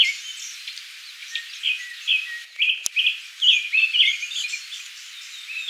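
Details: Japanese thrush at Kiyokawa Village giving scattered whistled notes, then a fuller burst of rich warbled phrases after a sharp click, with soft high chirping in the background.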